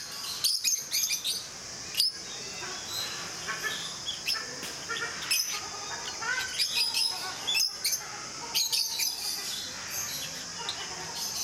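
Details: At Mysore Zoo, a group of rosy-faced lovebirds gives sharp, squeaky chirps in clustered bursts, with louder shrill calls standing out over a constant high-pitched flock chatter.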